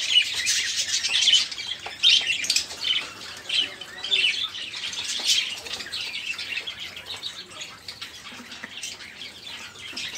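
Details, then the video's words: Noisy budgerigar flock, caged, whose chatter serves as a prompt for canaries and other songbirds; scratchy warbles and chirps overlap steadily, louder in the first half, then fading to a softer hubbub. "Suara Burung Parkit | Parkit Gacor | Pancingan Suara Burung Parkit agar cepat bunyi"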